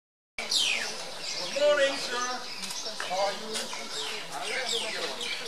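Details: Common myna (Acridotheres tristis tristis) at Kaziranga, Assam, India, on 15 February 2017, giving a varied run of gurgling, croaking and whistled notes, some descending sharply, in quick chattering bursts.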